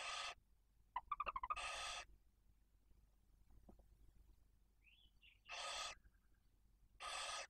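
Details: Barn owl at the nest in Cabañeros National Park during feeding: the male supplies prey for the female and two chicks aged one and four days. Four harsh, broadband hissing bursts of about half a second each, brief rapid chittering notes early on, and a short rising squeak.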